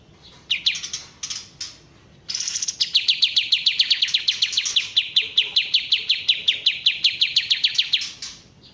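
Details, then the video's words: Bulbul known as kapas tembak, original sound: a few scattered notes open into a long, steady run of about thirty crisp descending chips delivered at a brisk, even pace. "suara asli kapas tembak"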